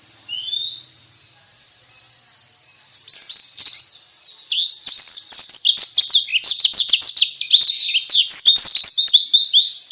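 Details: Ngalas song of a pleci, or white-eye, played to make other birds sing: a soft thin warble at first, swelling into loud, rapid, jumbled high chirps and trills.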